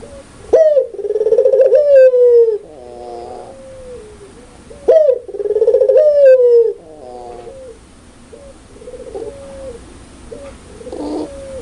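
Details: Spotted dove, pelung style, calling loudly and clearly: two strong pulsing phrases about four seconds apart, each opening with a sharp rising note and trailing into softer stepped coos and short level notes.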